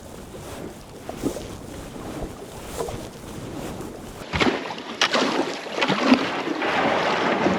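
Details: Water splashing and paddling sounds with gusts of wind buffeting the microphone, no animal calls heard.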